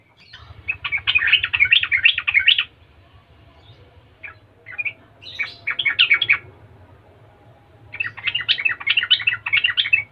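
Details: Chattering, lively song of a Yellow-vented bulbul, the 'gacor latah' type meant to make other bulbuls answer. It comes in three bursts of rapid, jumbled bubbly notes, each two to three seconds long, separated by a few scattered chips and a steady low rumble.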